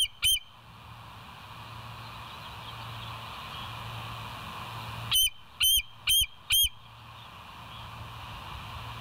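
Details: Bald eagles at the West End nest, caught on a live cam on 20 July 2023 at 05:04. One chirp, a long pause with low hum, then four rapid, high, piping notes.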